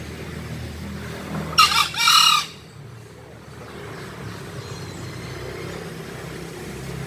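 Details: Green junglefowl crow near the start: a short rough note and then a longer hoarse one, followed by several seconds of faint background noise.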